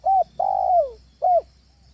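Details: Spotted dove training call for luring birds at home: a short arched note, a long drawn coo sliding downward, then another brief arched note, clear against a low steady hum.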